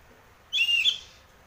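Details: Ngeplong-style lure song of an Oriental magpie-robin, used to prompt a cage bird to sing: a single strong, clear whistled phrase, steady then slightly falling, closing with a short higher note.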